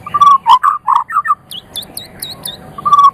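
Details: Champion white-rumped shama from Medan giving loud, full whistled notes in a quick stuttering series, followed by a few thin high downslurred notes and a final sustained whistle.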